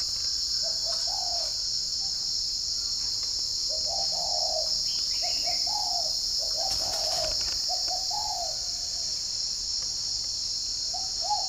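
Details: Spotted dove cooing on a morning in Ba Vì, Hanoi, northern Vietnam. Repeated low, slightly rising coo phrases come in pairs and triplets, with a few faint high chirps from other birds and a loud, continuous insect buzz.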